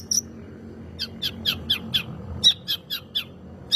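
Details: Long-tailed shrike song meant to provoke other birds to sing: one thin whistle, a short pause, then eight or nine evenly spaced sharp high chirps.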